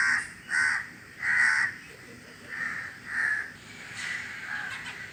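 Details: Crows in windy weather give loud, hoarse caws in a rhythmic run of about six, fading slightly toward the end, with faint wind in the background.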